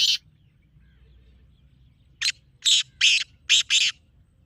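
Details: Black francolin call used to attract francolins: one rasping note, a long pause, then a quick phrase of five coarse, scratchy bursts with the last two close together.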